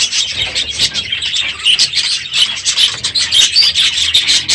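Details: Morning aviary full of budgerigars at the end of the breeding season, loud and busy: overlapping high twittering and chattering notes with brief dips in volume.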